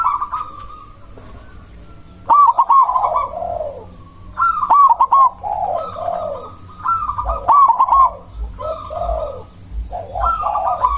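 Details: Zebra dove, cemani variety, calling as a lure to trigger replies from other doves and raise breeding drive; four loud phrases of rapid rolling notes sliding into lower coos, roughly every two and a half seconds, low hum behind.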